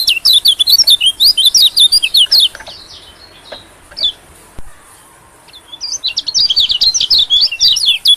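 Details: White-eye lure call aimed at small birds, with two bouts of quick, high, wavering chirps separated by a few seconds of near quiet and faint isolated notes.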